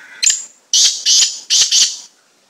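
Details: Unusual slate-grey black francolin calling at close range: a brief clipped opening note followed by four harsh, scratchy, high-pitched bursts run together in under two seconds; no other sounds.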